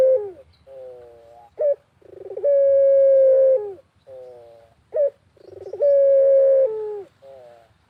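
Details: Barbary dove, pelung type, cooing energetically in a rural setting; two full phrases, each a clipped note and a stuttering pulsed build-up leading into a long, level, sustained coo that slurs downward at the end.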